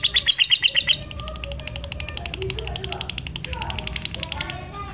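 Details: A lutino lovebird with black eyes, kept as a lure for other lovebirds, gives a few loud rising chirps, then a long fast chattering trill of buzzy pulses, with softer lower bird notes and murmuring in the background.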